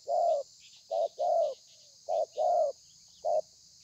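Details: Spotted dove recorded 30/11/2020 in thổ pha style with lèo and dặm variations; a long coo, then two short-long coo pairs and a final short coo, low and hollow, over a faint hiss.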